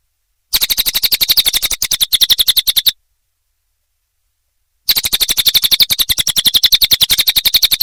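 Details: Songbird training recording of a cililin: two bursts of rapid, high, rasping chirps at a fast steady rhythm, separated by a pause of about two seconds.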